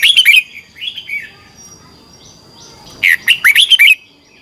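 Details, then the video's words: A red-whiskered bulbul in competition song, used to train birds: a brisk phrase of looping whistles, some softer warbling, then a second strong phrase of rising and falling notes. "Luyện chào mào hót sáng. chào mào hót đấu"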